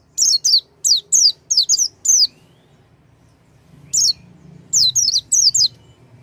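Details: Oriental white-eye song used to prompt a silent white-eye to sing: sharp, high, downslurred chirps in quick clusters, a pause of over a second, then another burst of four or five notes.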